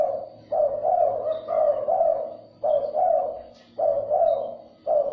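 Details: Spotted dove calling to stimulate and lure other doves: loud, full, rolling coo phrases in close succession, about four of them with only short gaps, over a faint low hum.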